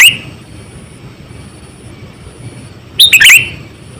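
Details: Sooty-headed bulbul lure call: the tail of one phrase at the start, a quiet pause, then one quick bubbly burst of bright rising and falling notes, with faint background hiss and a thin steady high tone.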